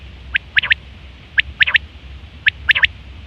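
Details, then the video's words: Common quail, recorded September 2023, giving its mating call: crisp three-note phrases, each a quick, bright triple, repeated about once a second over a quiet background. "Quail fresh sound sep 2023/ batair ki awaz"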